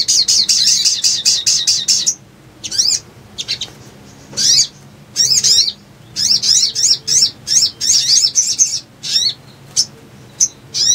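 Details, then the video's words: Little spiderhunter (sogon) lure sound for bird trapping: opens with a fast run of high chirping notes, then separate loud bursts of shrill, twittering zigzag phrases every second or so, with brief silent gaps. "PANCINGAN PALING AMPUH UNTUK BAHAN IJOAN❗PIKAT AMPUH"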